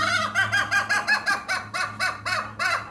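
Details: Hen giving a strange, unique call: a rapid series of nasal, arching notes, about five per second, rising and falling evenly in a steady pulsing rhythm with a faint low hum underneath.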